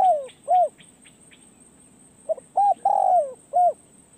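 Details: Spotted dove, a decoy bird taken out to a forest trapping perch, giving falling coos, a pause with faint chirping, then a full phrase of short note, coo, long sliding coo and a last short coo.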